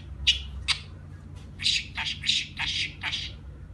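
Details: Talking budgerigar gives a few separate harsh squawks, then a quick string of rasping, chattering syllables toward the end, with short pauses between bursts.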